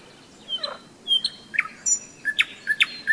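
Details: Nightingale in May on a riverside hike along the Seversky Donets: a short burst of paired clicking notes and descending whistles, spaced about every half second.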